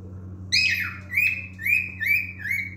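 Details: A male cockatiel sings a squawky first note then a run of four looping whistled phrases, each swooping up and down, with low electrical hum in the background.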